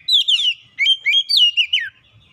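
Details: Magpie-robin lure song, meant to provoke quiet birds into full song: a fast run of loud, sweet whistled notes sliding up and down, delivered in short linked phrases for about two seconds.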